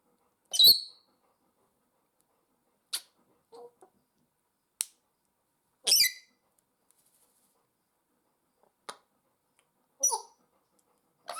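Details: Two pet African grey parrots kept indoors at home give short, harsh, scratchy bursts of sound, some with brief squeaky tonal edges, spaced irregularly every one to three seconds with quiet gaps between.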